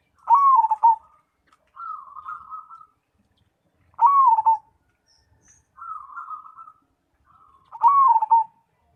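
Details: Zebra dove, Cemani type, in full song: three loud, wavering coo phrases roughly every four seconds, each followed by a softer, pulsing bubbling trill.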